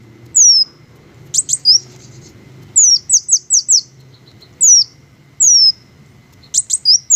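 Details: High thin squeaks from green hummingbirds, each sliding down in pitch, given in clusters of two to four with brief gaps and a few sharp clicks, quiet low ambience beneath.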